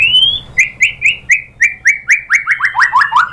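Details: Caged white-rumped shama song used as a provoking track to make another shama answer: a rising whistled note, then a rapid series of about thirteen short descending slurred whistles, accelerating and getting louder, strong clean notes.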